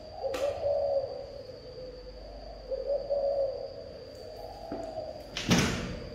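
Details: Spotted dove giving its local-voice style of cooing: two soft, low, drawn-out coo phrases about two seconds apart, with a steady electronic whine and a loud knock or slam near the end.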